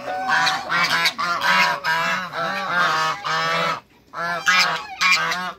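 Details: Six African and Toulouse geese meeting new geese on a farm, giving loud harsh honks in bursts of overlapping calls with a brief pause near the end before honking resumes.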